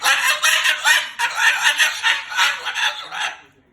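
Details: Moluccan cockatoo cursing and talking loudly in anger. One unbroken, rapid run of rough, pulsing syllables that fades away at the end.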